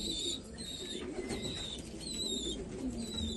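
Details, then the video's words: Low rolling coos from black Afghan pigeons, Afghanistan, under a layer of sharp, high, sliding chirps from other birds; a soft indoor murmur throughout. "کفتر های مشکی افغانی"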